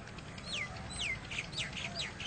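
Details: A black francolin (black partridge) calling freely in Nawabshah, Sindh, Pakistan, gives a short run of high, harsh notes, several slurring quickly downward, over a steady low rumble.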